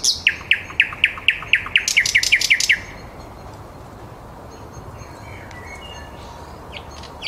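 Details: Live nightingale song at 21:30 in Käpylä, Helsinki: a fast, even series of loud, sharp repeated notes for about three seconds, then a quieter stretch of faint, distant notes over a constant low urban hum.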